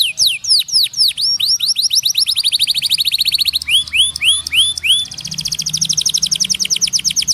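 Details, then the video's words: White canary singing continuously: fast trains of downward-sweeping whistled notes, then upswept rising phrases near the middle, followed by a rapid, even trill of short repeated notes; bright, loud and high-pitched throughout. "KE'ARI putih GACOR cocok buat Masteran Kenari Macet atau paud"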